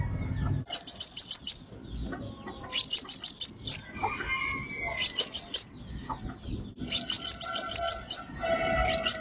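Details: Crimson sunbird calling as a trapping lure, with regular bursts of six or seven rapid high chips about every two seconds and faint lower chirps between.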